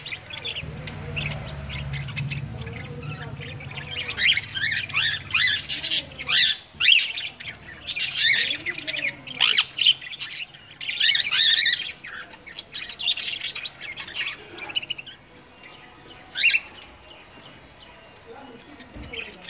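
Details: At home, sun conures sit cuddling a cockatiel; loud harsh screeches come in separate bursts of one to two seconds, interspersed with softer chattering notes, fading quieter toward the end.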